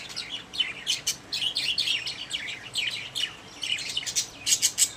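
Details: Caged pet budgerigars giving a continuous warbling chatter of short chirps and clicks, with sharp ticking bursts toward the end.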